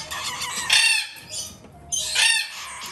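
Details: Hand-fed galah chick, a captive-bred young female, utters two loud grating rasps separated by a short quieter gap, a dry rattling sound typical of a feeding session indoors.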